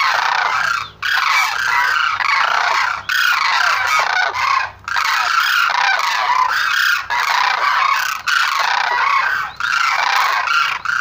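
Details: Sarus crane calls in long, loud, harsh trumpeting phrases of one to two seconds each, broken by short silences, the notes coarse and heavily harmonic throughout.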